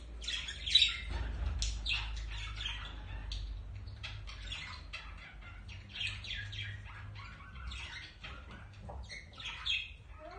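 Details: A pair of budgerigars during courtship and mating, giving a dense, continuous chattering warble of short scratchy notes and squeaks, with a steady low rumbling hum underneath.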